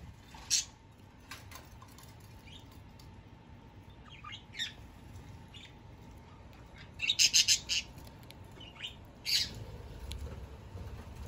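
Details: Hand-fed two-month-old Java sparrow chicks indoors, moving from hand-feeding to eating on their own; scattered thin high chirps, a tight burst of three or four sharp notes near the end, steady background hum.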